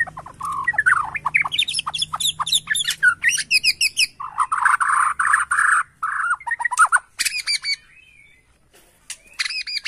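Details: White-rumped shama of the Borneo type, agitated by a lure recording, pours out rapid rising whistles, dense chattering and a buzzy harsh stretch, ending in high clear notes; low hum behind.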